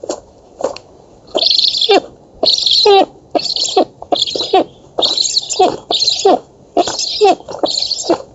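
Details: Nestling black storks begging during feeding at an oak nest in Poland, 11 August 2017; raspy hissing bursts mixed with short squeaky upslurred notes, irregularly spaced.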